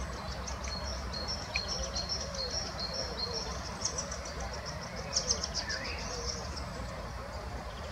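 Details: Great spotted woodpeckers, adult and young, feeding in Munich Botanical Garden, likely 23 May 2018: a rapid stream of thin, very high chattering ticks over low rumble, plus a brief slurred note from another bird.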